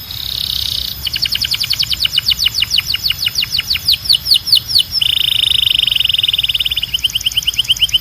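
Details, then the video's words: Belgian canary singing for canary song training: a short buzzy trill, then a long run of rapid downward-sweeping notes, then a steady high buzzing roll and faster chips. "Canto de Canário 2026 Mais Procurado 🔥 Som de Canário Belga Super Afinado SEM PARAR‼️"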